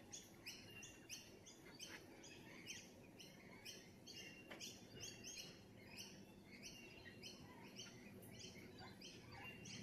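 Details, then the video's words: A kookaburra calls faintly in the background with a run of rapid, repeated cackling notes, several each second, over a steady low hum. "Kookaburra.. so cute😍"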